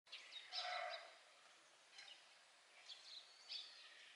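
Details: A Japanese tit at a home in Uji, Japan, on 25 March 2023. A brief buzzy, chattering burst is followed by a few thin, high chirps about a second apart, over steady outdoor noise.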